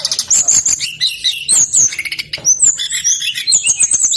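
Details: Persistent song of a brown-chested jungle flycatcher, played to prompt lazy birds to join in: dense, high twittering phrases of quick whistled notes and short warbles with brief dips between bursts.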